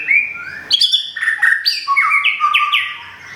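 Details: White-rumped shama from Thung Song, Thailand, kept as a cage bird and finishing a moult after a recent move, delivers a rich, rapid phrase of clear whistles, sharp chirps and stepped falling notes in a quiet room.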